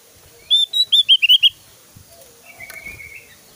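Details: Javan grey-throated white-eye giving a fast run of about seven loud, sharp, high rising-falling whistled notes, then a fainter thin trill; quiet background otherwise.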